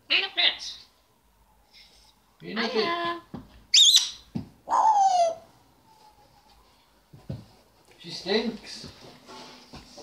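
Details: African grey parrot kept as a pet, talking indoors and ordering the family dog out of the living room; broken speech-like syllables with rich harmonics alternate with a sharp high whistle and a long falling tone, with quiet pauses between.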